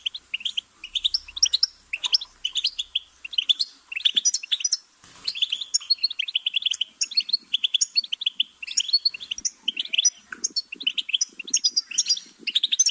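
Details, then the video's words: Long, busy goldfinch song: dense, tinkling twittering notes tumbling almost without break, with a short gap near five seconds and faint lower rustling sounds toward the end. "Goldfinch's Singing"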